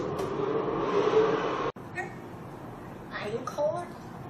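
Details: African grey parrot talking: nearly two seconds of dense, speech-like chatter, a sudden break, then a few short voiced syllables rising and falling, ending with brief murmured words.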